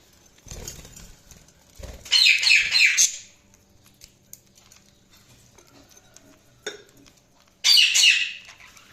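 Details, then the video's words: Budgerigars chirping: two bursts of rapid, squeaky, warbling chatter, each about a second long, separated by quiet stretches with soft rustling and a brief clatter. "Budgies Chirping sound"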